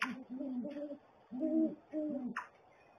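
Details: Great horned owl pair at the nest trading long, low hoots, three drawn-out notes with rich overtones separated by short pauses, plus a sharp tap near the end.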